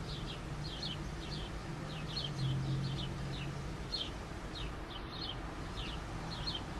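House sparrow chirps: short, high double notes repeated about every half second over a steady low traffic rumble.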